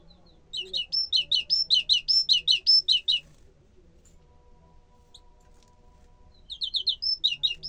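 A Turkestan tit sings a fast run of about a dozen high, ringing two-note phrases over three seconds, then pauses and resumes with a shorter burst.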